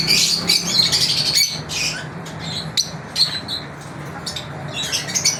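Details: Pet lovebirds during their daily routine, chirping: shrill, squeaky chatter and sharp squawks in irregular bursts, with a low mechanical hum underneath.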